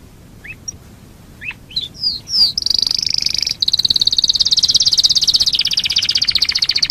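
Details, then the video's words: Domestic canary song played as a lure to get other canaries singing: a few short upward chips and slurs, then a long, loud, very high rapid trill. "Pancingan burung kenari super ampuh"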